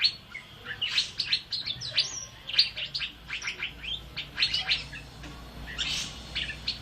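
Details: Asian fairy-bluebird singing actively, recorded as a tutor track for training birds: rapid, chirpy, high notes in quick irregular bursts, some sharp and whistled, running continuously with a faint low hum beneath.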